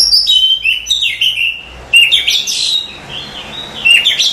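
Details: Oriental magpie-robin masteran song used for training cage birds: loud, clear whistled phrases that slide and twist, sweet notes broken by short chattering bursts, in pauses of about half a second.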